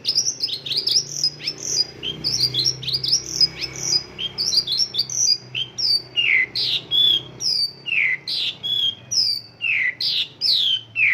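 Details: Mongolian lark singing an isian lokalan song, filled with local bird phrases: a rapid run of high twittering notes, then slower, separate down-slurred whistles about once a second.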